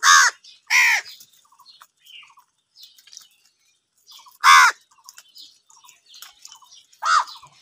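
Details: Crows fighting for food call with loud, raspy caws: two close together at the start, another after a pause, and a fourth near the end, while soft chirps from small birds fill the gaps.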